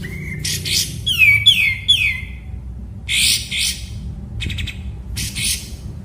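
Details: Murai batu (white-rumped shama) master song, kapas tembak style: a steady whistle, then descending slurred notes repeated three times, followed by scratchy bursts and short buzzy chatter separated by pauses.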